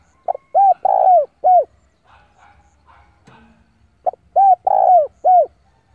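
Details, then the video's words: Spotted dove decoy bird cooing to call rival birds in to fight; two phrases of a short note, two rising-falling coos with a long middle coo, separated by a quiet gap. "tiếng chim cu gáy gọi bổi về cội để đấu của con chim cu gáy mồi giọng gáy hay cực chuẩn kích bổi"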